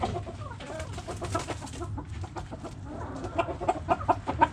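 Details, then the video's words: Backyard hens clucking: a busy stream of short, overlapping clucks and chatter from several birds, with low rumbling noise beneath and a few sharper clucks near the end. "Backyard Chickens Relaxing Video Sounds Noises Hens Clucking Roosters Crowing!"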